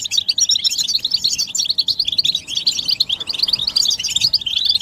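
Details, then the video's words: European goldfinches in group twittering, described as mating and readiness calls used to stimulate males to sing; dense, high, tinkling chirps and twitters pour out continuously, overlapping with no pauses. "بتبتة الحسون تحفيز الحسون على التغريد والهيجان علاج صمت الحسون goldfinch stimulation"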